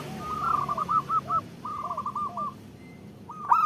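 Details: Female zebra dove calling the male, used to lure lazy local males into singing: rapid bursts of soft, hollow cooing notes at a mid pitch, in two runs of about six notes, with quieter lower coos beneath and a louder final phrase.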